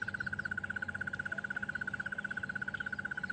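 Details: A Crested Barbet gives its long, even trill, a rapid run of mid-pitched pulses like a ringing alarm clock, on a January morning safari drive at Djuma and Arathusa near a resting leopard; a second barbet joins in, over a faint low engine rumble.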